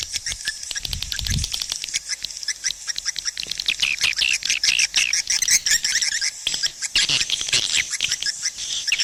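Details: Swiftlets, a recording played to attract swiftlets to nesting houses: dense rapid chattering and buzzy twittering calls repeated many times per second, overlapping clicks, with a few low thumps near the start.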